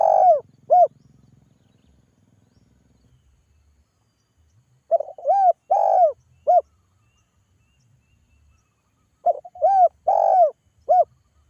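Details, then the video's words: Spotted dove, a lively local caller used to draw other doves to answer, giving deep cooing phrases of three to four notes, each phrase repeated after pauses of about four seconds, with no other clear sounds. "TEKUKUR GACOR SUARA PANGGIL"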